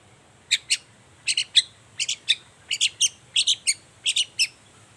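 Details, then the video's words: Long-tailed shrike singing energetically in the morning, a recording meant to coax other shrikes to reply; quick pairs and triplets of sharp, high chips in rapid bursts, with a faint steady hiss behind. "Suara cendet gacor Pagi Hari pancingan jitu BIKIN cendet diam langsung nyaut ikutan bunyi"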